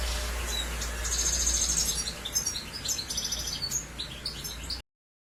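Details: European goldfinch in Germany pouring out a lively, high-pitched twittering song of rapid chirps, buzzy trills and one sustained thin whistled note, over a steady low hum, ending abruptly in silence.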